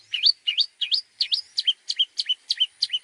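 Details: Long-tailed shrike tutor song used to train other birds. About ten quick twisting whistled notes repeat at a steady pace, shifting midway from rising slurs to falling ones, with a faint thin tone in the background.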